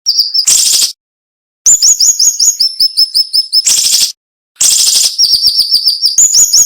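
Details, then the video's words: Cinnamon-bellied flowerpecker singing in a sharp, close-packed style with brief gaps: buzzy rasping bursts alternate with rapid trains of very high, downslurred whistled notes. "MASTERAN SUARA BURUNG SIRI SIRI NEMBAK TAJAM"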